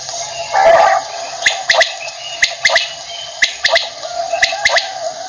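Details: Quail heard in the morning, giving short sharp notes grouped in pairs and triplets at roughly one-second intervals, after a brief rough gurgle, above a constant hiss.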